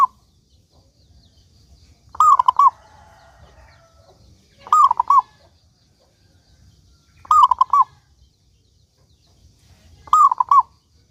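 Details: Lively local zebra dove repeating short rolling coo phrases about every two and a half seconds, four phrases in all; a faint tonal whistle sounds briefly after the first.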